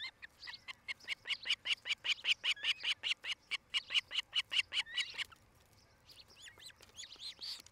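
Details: Osprey pair at their nest in Charlo, Montana, on a nest camera, 8 July 2018, early evening: a long, evenly spaced run of loud, sharp whistled chirps, about two and a half per second, ending abruptly, then softer chirps.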